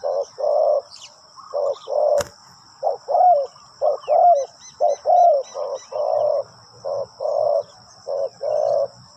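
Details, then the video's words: Spotted dove used as a ground decoy to attract wild doves gives steady low coos in short and long notes, roughly one per second, with a sharp click midway and a thin continuous high whine behind. "chim cu mồi gáy gọi bổi"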